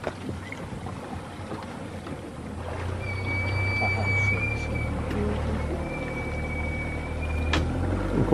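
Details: A sunbittern sings at Tortuguero, Costa Rica, giving two long, thin, steady whistles, each about one and a half seconds, over a low boat-engine rumble and faint voices.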